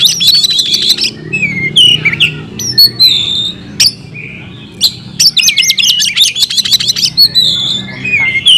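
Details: Oriental magpie-robin (kacer) in vigorous fighting song, delivering its mimicked fill-in phrases: bursts of rapid high chatter alternate with varied slurred whistles, rising and falling notes, and short sharp clicks across several phrases.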